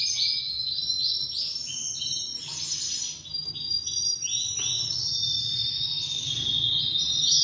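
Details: Half-frill Spanish Timbrado canary male, two years old and ready to breed, singing a varied run of gliding whistles, short trills and rolling phrases against a steady background noise.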